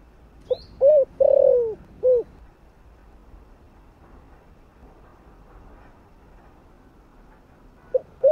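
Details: Spotted dove calling in the thổ voice to draw wild doves: a single four-note cooing phrase, then about six seconds of near silence before the first notes of the next phrase.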